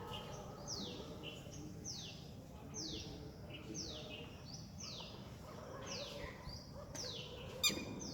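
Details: A red-wattled lapwing in a neighbourhood park in India gives its shrill, sharply down-slurred "did he do it" notes, repeated roughly every three-quarters of a second, over a steady low rumble.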